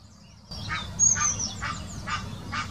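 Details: Mating call of an Egyptian goose, 2018, Wittlicher Senke: five hoarse honks evenly spaced roughly every half second, with a sharp high whistle from another bird and a low background murmur.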